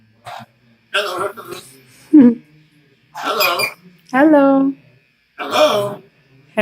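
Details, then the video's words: A pet macaw talks in a hoarse, nasal voice, repeating "hello"-like short word bursts about a second apart, some with a rising, squeaky lilt, while its owner says hello and praises it. "Parrot macaw talking"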